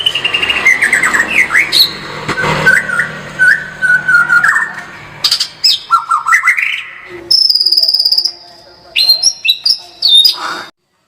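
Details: A white-rumped shama sings in full tembakan style. Varied phrases mix harsh squawky notes with fluid whistles. These are followed by high, sharp, piercing whistled bursts separated by short silences.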